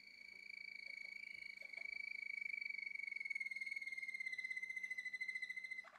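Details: Male Malinois Waterslager canary in a Turkish breeder's care, singing a sustained rapid rolling trill on a steady pitch for about six seconds, with faint clicks in the background.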